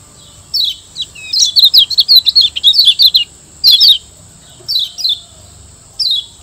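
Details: Kecial kuning, the Lombok yellow white-eye, master song to train caged birds: a lively two-second warbling twitter of quick high notes, a short chatter near four seconds, then spaced falling chirps.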